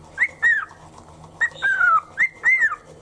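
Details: Pet cockatiel singing in the morning to the rhythm of toothbrushing while on a shoulder: three pairs of clear whistled notes, each rising then sliding down, with short gaps between the pairs.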